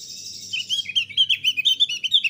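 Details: Thick-billed white-eye in full, loud and clear song, used to prompt newly kept birds to start singing: a rapid string of bright, high chirped notes, rising and falling, following a brief thin high hiss.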